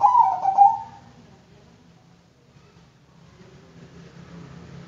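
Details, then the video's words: One Bangkok-type zebra dove phrase opens, a trilled run of coos ending in a longer note, followed by near silence with a faint low hum. "Bikin Kutut Bangkok Ikut Manggung DENGAN VIDEO INI,Pasti GACOR NYAUT dan NGAYER"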